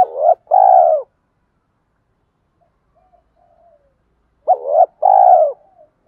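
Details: Spotted dove cooing used to stimulate caged doves: two identical low phrases four seconds apart, each a quick hooked note then a long steady hoot, with faint soft murmurs in the gap.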